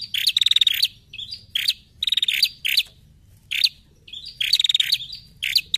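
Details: A female Bar-winged prinia lure call: bursts of rapid, high, dry ticking mixed with short buzzy notes, repeating about every second or so, with nothing else standing out.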